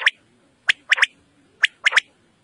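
A quail gives short, harsh, clipped notes in quick three-note phrases, one note then a fast pair, repeated about once a second.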